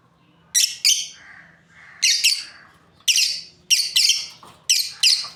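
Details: Lovebird breeding pair uttering loud, scratchy paired chirps, doublets spaced about a second apart, over a faint low hum.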